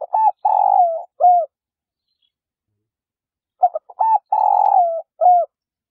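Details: Female spotted dove calling to stimulate males to coo. The end of one phrase is followed after a pause by a complete one: stuttering intro notes, a sustained grating coo that drops off, and a short last coo.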